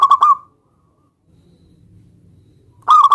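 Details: Local zebra dove singing to draw a rival into answering: a quick burst of clipped coos sliding into a short trill, a pause with low murmur, then another staccato phrase.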